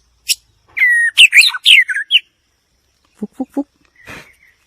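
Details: A white-rumped shama delivers a varied phrase of sliding whistles and sharp chattering notes. After a pause come three low, short knocking notes and a brief noisy burst.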